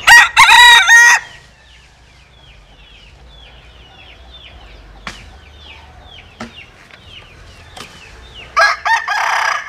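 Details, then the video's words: Crossbred bantam cock (Japanese bantam mother, Cuban father) gives a strong, harsh crow in three bursts. Faint chirps from small birds fill the quiet gap before a second loud crow starts near the end. "Gà Tre Jap Cuban Tiếng Gáy Rất Sung"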